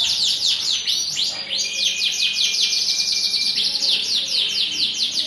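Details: Canary song in the morning, played so other canaries will reply and sing: rapid high chattering trills of repeated sweeping notes over a long, thin, level whistled note held for about two seconds.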